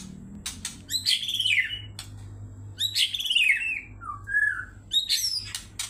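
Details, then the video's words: Agitated white-rumped shama singing as a lure to provoke other birds: loud, rich whistled phrases that sweep downward, each about a second long, separated by sharp clicks and a short low whistle, with a faint hum beneath. "MURAI BATU EMOSI, PANCINGAN MURAI BATU GACOR"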